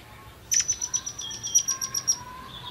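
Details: Forktail song used as a lure to prompt other birds to sing: a run of about ten thin, high, sharp whistled notes at an even, quick pace, with a faint lower rising whistle underneath.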